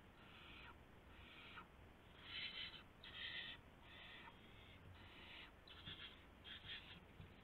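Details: Owl calling at the nest with a freshly brought gopher, 1:00 AM, March 24, 2016: a series of eight breathy, screechy hiss bursts, some louder, spaced under a second apart.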